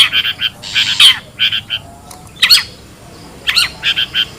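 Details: Wild long-tailed shrike, a lure sound for drawing birds in: clusters of short, harsh, raspy bursts mixed with sharp down-slurred squeaky notes, in irregular groups with brief pauses.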